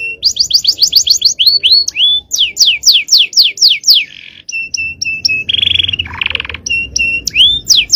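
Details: Singing male canary, champion 'cengkok' style meant as a training master: quick run of falling sweeps, a pause, another sweep series, short flat whistles, and two harsh buzzy bursts before ending on rising and falling slurred notes.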